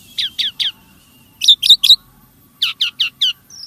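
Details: Starling song used to trigger caged birds to sing, short groups of three or four sharp downward chips repeated, separated by short silent pauses, ending with a thin high whistle.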